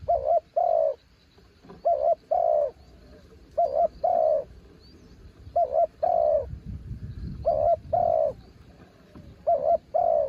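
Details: Spotted dove, a mountain bird kept as a branch decoy, coos repeatedly: a short wavering double note and then a longer, falling cooing note. The pairs come about every two seconds, with a low rumble of background noise.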